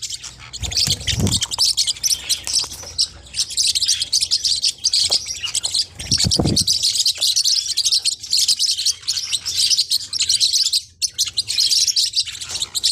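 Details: High, busy chatter of Forpus parrotlets: rapid overlapping chirps that run on steadily, broken by two short low thuds early on.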